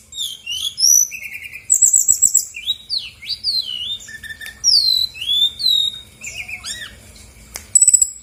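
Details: Rich, continuous song of a female brown-chested jungle flycatcher meant to stir other birds to sing: tumbling arched whistles, fast trilled bursts and swooping notes that rise and fall in a busy stream.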